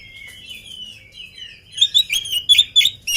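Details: Oriental magpie-robin before feeding. Soft warbling whistles build into a loud, rapid run of sharp, repeated chirping notes.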